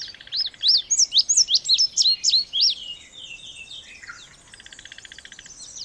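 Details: Indigo bunting song: a loud run of high, sharply slurred notes delivered quickly for nearly three seconds, then fainter buzzy trills and scattered chirps from other birds in the distance.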